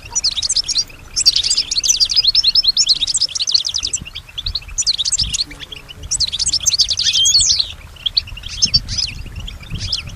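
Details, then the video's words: European goldfinch kept at home, described as imitating sounds it hears such as other birds or whispers; high, rapid trilled phrases in repeated bursts of one to two seconds, tinkling and buzzy, with brief silences between. "keep your goldfinch healthy and singing"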